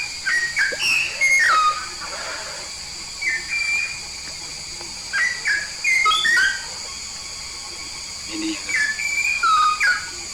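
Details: A yellow-faced myna of Papuan origin sings in clusters of bright whistles, each group of several falling and rising notes separated by short pauses, over steady background hiss.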